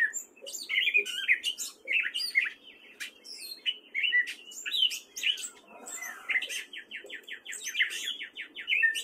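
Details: Spring song of a male gray catbird in Fairfield, Iowa: a continuous jumble of chattering, whistled and scratchy notes that changes constantly, ending in a quick series of short repeated chips.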